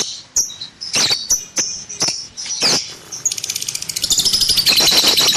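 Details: Pet lovebird giving separate harsh squeaks and squealing whistles, then breaking into a rapid rattling chatter of high chirps that grows louder toward the end.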